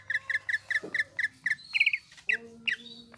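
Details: Greater green leafbird song: a string of short, doubled chirping notes repeated steadily, then a few quick trilled phrases and sharp downslurred notes, with a faint low hum behind.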